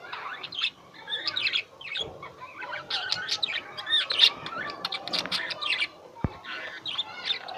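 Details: Pet lovebirds chattering: dense, overlapping squeaky chirps and short scratchy notes in a continuous stream, with one sharp click partway through.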